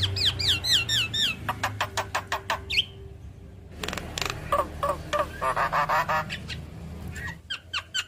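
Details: Javan myna's characteristic song, played to coax quiet mynas into singing: looping hooked whistles, a string of harsh rapid notes, then a buzzy chattering burst and more rasps, over a low hum.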